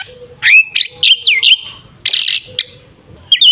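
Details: Oriental magpie-robin (kacer) giving a fighting song, locally called 'tarung ngeplong', used to provoke a rival and make it agitated; loud varied whistles, sliding and looping notes, then harsh buzzy bursts and a final twittering phrase over a faint steady hum.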